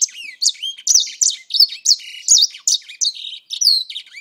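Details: Grey singer, a bird kept for roughly four months, pouring out a rapid warbling song: clear whistled slurs rising and falling, mixed with buzzy trills, bursts coming about every third of a second.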